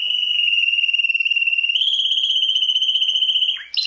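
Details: Canary described as a world champion delivers a long, steady, very rapid rolling trill at an even pitch, rising slightly midway, then breaks into a brief twittering phrase at the end.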